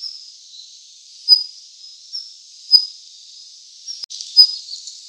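Daurian redstart giving three sharp, high call notes about every second and a half, over a steady high insect-like hiss.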